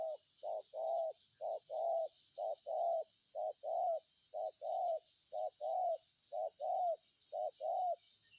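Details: Spotted dove giving a steady run of low coos in short-long pairs, roughly one phrase a second, over a constant high insect drone.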